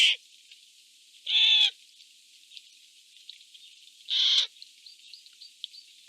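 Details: Eurasian jays squabbling over food in woodland; two loud, harsh, grating screeches about three seconds apart, each roughly a third of a second long, with quiet rustling between.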